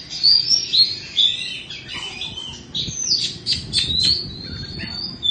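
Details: Caged Oriental magpie-robin of Indonesian stock, a bird through two moults, singing clear high whistled notes and short sliding phrases in bursts, with brief pauses between phrases over a low room hum.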